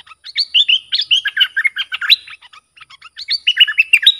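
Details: Bulbul used as a lure bird, excited and singing against wild rivals. Fast chattering phrases of bubbly whistled chirps in two bursts, separated by a short pause.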